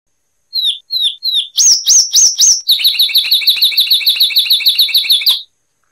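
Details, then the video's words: Cuban Zapata wren (Ferminia cerverai) song: three thin downslurred whistles, then four loud ringing notes, then a fast even string of about twenty sharp high notes before it stops. "Masteran Burung Zapata Wren"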